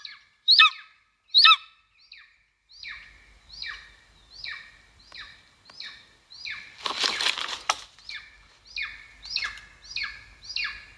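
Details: Two sharp, loud calls open a run of repeated descending calls from a golden eagle nest filmed in Estonia in 2022; a broad rushing burst like wing flapping interrupts midway before the calling resumes.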